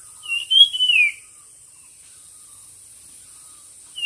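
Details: Bird singing in a song competition: one clear whistled phrase, slurred and falling at the end, then near silence before another note begins. A steady high-pitched whine runs underneath.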